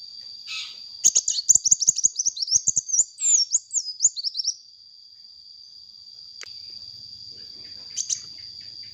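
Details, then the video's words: Sunbird singing actively for use as a lure: a dense four-second run of rapid, high twittering and slurred squeaks, then near quiet with a few faint clicks and a soft low hum, all over a steady high tone. "suara burung kolibri gacor untuk pancingan bunyi kolibri bahan"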